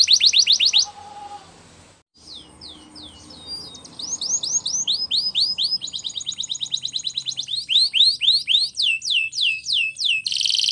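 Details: A Spanish Timbrado canary sings for training: a short trill, a quiet gap, then gradually louder swooping notes leading into long runs of fast, evenly repeated chips and a final dense buzz.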